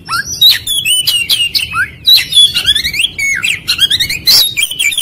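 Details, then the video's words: Lure recording of Oriental magpie-robin song meant to provoke a fast reaction: continuous, busy medley of bright whistles, quick slurred notes and scratchy chatter, almost without gaps. "MASTERAN PANCINGAN KACER CEPAT RESPON NGOBRA"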